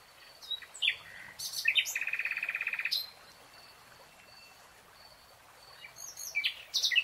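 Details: Nightingale song from a lush green forest: scattered sharp high notes, then a rapid buzzy trill of evenly repeated notes lasting about a second, a pause, and more quick chirps near the end.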